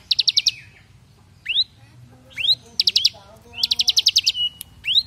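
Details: Bar-winged prinia (ciblek) singing its rapid 'brem' rattle, a training recording for other birds: short buzzy trill bursts broken by sharp rising whistled slurs and chips, over a faint low hum.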